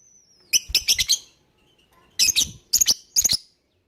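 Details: Lovebird lure call for getting other birds to join in: a thin falling whistle, then four quick bursts of harsh scratchy shrieks, each burst made of three or four rapid notes, separated by brief pauses.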